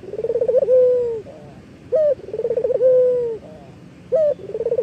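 A low, rolling dove coo: a fast trill of pulses melting into a long steady note, then a short upslurred note, repeated about every two seconds.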